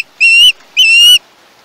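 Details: Young osprey at a Chesapeake nest, recorded by a live cam on 21 August 2019, giving two long, shrill, slightly rising whistled screeches separated by a short gap.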